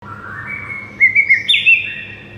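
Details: White-rumped shama song used as a training recording for a silent shama: long thin whistles near the start, then a quick run of four bright rising-falling whistled notes and a higher slurred phrase.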